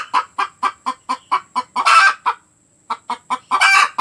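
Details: Village hen cackling after laying an egg: steady clucks repeated about every quarter second, building to a long harsh squawk, a short pause, then clucks and another squawk.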